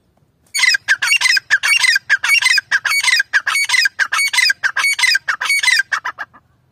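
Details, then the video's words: Grey francolin, stated as female, calling loudly in a rapid series of harsh, ringing notes repeated about one and a half per second for six seconds, then stopping. "Female Teetar Madi ki awaaz grey francolin"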